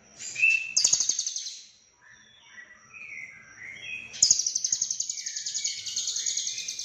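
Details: Lovebird in Cililin delivering full isian konslet song: a long high rattling trill, a gap of soft lower warbled notes, then another sustained rapid pulsing trill running to the end.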